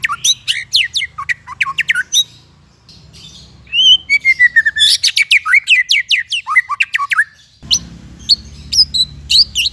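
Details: Long varied song of a white-rumped shama, recorded as tutoring material for untrained or silent shamas: fast bursts of sharp chirps and downward whistles, a soft pause with thin trills, more rapid bursts, and a low hum near the end.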